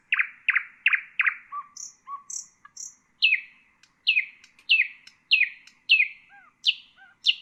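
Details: Common nightingale song, a recording meant for tutoring bulbuls and other songbirds: five loud downslurred notes, low soft notes, three thin high whistles, then a run of sharp descending notes spaced about half a second apart.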